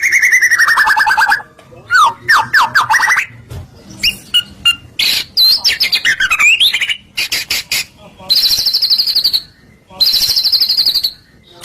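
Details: White-rumped shama (murai batu) singing 'gacor' as a lure to make other shamas respond: a long descending whistle, harsh buzzy squawks, twisting slurred phrases and high sustained shrill notes.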